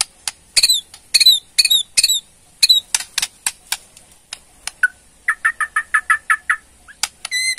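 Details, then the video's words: Borneo white-rumped shama delivering ketrekan to trigger a response: bursts of chattering clicks, a few upslurred notes, then a steady series of about ten short whistled chips and a closing rapid trill. "KETREKAN MURAI BORNEO BONGKAR ISIAN // SEKALI PUTAR AUTO RESPON"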